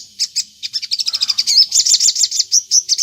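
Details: Energetic crimson sunbird song used to lure other sunbirds into answering; a thin high chip opens, then accelerating sharp twitters build into loud, bright, slurred notes.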